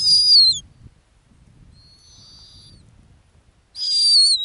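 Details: Nesting female snowy owl, Arctic ground nest: a loud, shrill whistle that wavers and drops at its end, a quieter distant whistle in the middle, then another loud wavering whistle, over quiet background.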